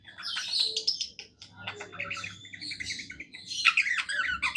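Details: Tame budgerigar singing contentedly, an almost unbroken warble of twittering chirps, scratchy notes and short whistles that grows busier toward the end.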